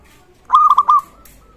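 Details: Single phrase from a local zebra dove in full voice, used to spur other zebra doves to call: four quick, mellow cooing notes run together, the last one drawn out slightly.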